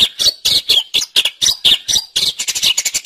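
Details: Cendet, the long-tailed shrike, singing gacor for training songbirds: a continuous string of loud, harsh, squeaky notes with varying pitch, speeding up into a tighter chatter at the end.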